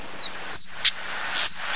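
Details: Common stonechat giving a thin, high whistled note, then a sharp tick and another whistle over quiet hiss.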